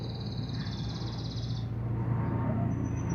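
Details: Local canary singing a fast, even trill lasting about a second and a half, followed by a brief thin high whistle near the end, over a steady low hum.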